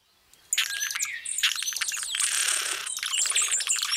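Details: Blue-throated sparkling hummingbird singing: a high, scratchy, buzzing song of rapid squeaky chips and dry rattles, delivered in near-continuous bursts.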